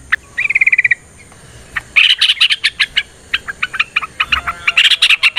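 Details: Yellow-vented bulbul giving a long fighting song used as a lure to make other bulbuls sing back. It opens with a quick even trill, then breaks into lively clusters of bright, bubbly chirps.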